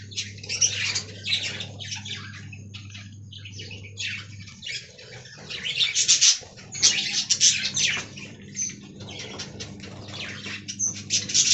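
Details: Many budgerigars in a colony aviary keep up busy, scratchy chirping and warbled twittering in bursts, with a low steady hum underneath for much of the time.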